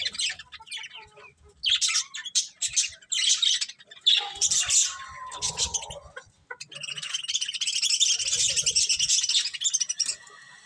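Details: Chirping budgerigars: irregular high twitters and scratchy calls early on, then a long continuous buzzy chatter from several birds filling the second half.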